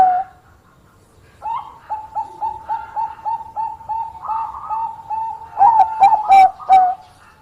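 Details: Bangkok-type zebra dove singing actively, a bird kept for its voice and prized for luring rival birds into answering. After a pause, low cooing notes repeat about four times a second in an even series, ending in louder coos mixed with sharp clicks.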